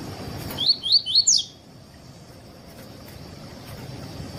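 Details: Tui-tui song of a double-collared seedeater, played to tutor and warm up other seedeaters: four or five bright, rising whistled notes in under a second, then steady low background hiss.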